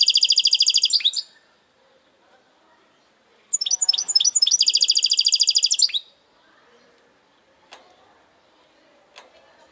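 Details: A goldfinch hybrid gives its segmented song: two bright, rapid bursts of high, twittering trills, the second longer, followed by quiet gaps with faint clicks.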